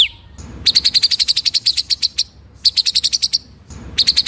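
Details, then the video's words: Master song of the murai (white-rumped shama) in ngeroll nembak style, meant for training other birds: long rolls of rapid, evenly spaced piercing high notes, each roll of around a dozen, broken by short silences. "BURUNG MURAI MASTERAN NGEROLL NEMBAK"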